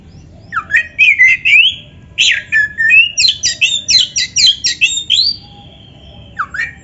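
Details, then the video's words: Singing Oriental magpie-robin, a 'gacor isian' lure meant to make other magpie-robins sing back: a long rising whistle, then a burst of quick chattering, buzzy notes, a sustained flat whistle and a final upslurred note. "PANCINGAN KACER GACOR ISIAN"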